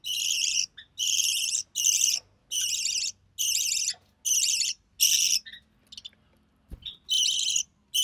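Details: Captive recessive pied budgerigar chick fed by its mother; loud, rhythmic, harsh rasps, each about half a second long and repeated more than once a second, with a single knock near the end.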